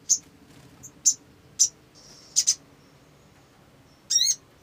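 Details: Olive-backed sunbird, played as a lure to make birds sing, uttering sparse short sharp high chips spaced about half a second to a second apart, a doubled chip, and a final brief slurred twittering phrase.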